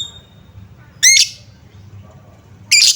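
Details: Lovebird lure sound, used to coax reluctant lovebirds into singing and responding: two short, harsh, buzzy chirps about 1.7 seconds apart, with a quiet low hum between them.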